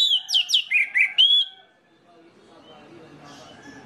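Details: Orange-headed thrush song, played to spark singing in other birds of its kind: an opening phrase of six descending and rising whistled notes over a second and a half, then quiet background noise.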